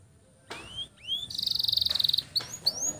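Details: A canary performs a long roll, a master song for training young birds: a rising whistle, a curved upslur, then a quick pulsing trill of about a second, ending in a few brief high upward chirps.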